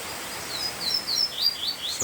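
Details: Male double-collared seedeater (coleiro) singing to a nearby female, a quick run of high, slurred whistled notes, several per second, over the steady hiss of falling rain.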